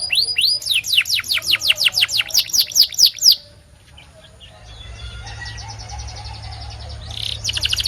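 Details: White canary singing: a run of rapid, repeated downward-sweeping high whistles for about three seconds, a brief quiet gap, then a faint dense trill building back to loud notes at the end.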